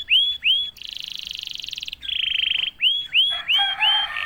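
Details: Canary singing straight after a single prompt: loud looping whistled notes, two long buzzy trills at different pitches, then more rising-falling swoops with lower tones underneath.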